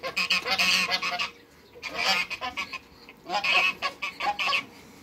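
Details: African goose pair kept in a backyard among waterbirds, calling in three loud bursts of rapid, rasping honks, each run lasting about a second, with quieter gaps between.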